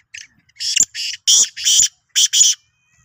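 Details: Black francolin, called Sindhi kala teetar, giving a harsh, high, buzzy call in a rapid burst of six or seven short grating notes lasting under three seconds, with a quiet background.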